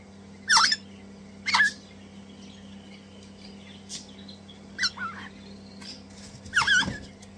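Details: Captive Crimson Rosella chicks, two, hand-fed and very enthusiastic; loud rasping squawks at first, then softer scratchy calls, and a final harsh burst, over a low hum.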